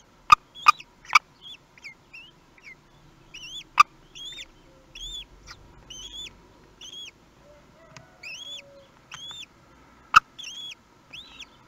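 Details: Kestrel nest with its first hatched chick, Théding, France, 18 May 2021, nest webcam. A long run of short, arched, up-and-down calls repeats steadily, broken by several sharp, loud clicks.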